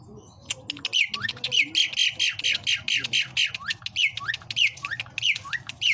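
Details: Asian pied starling, a bird said to have varied sounds and to mimic human speech, delivering a fast, harsh, squawky stream of notes, some sweeping upward, over a low background hum.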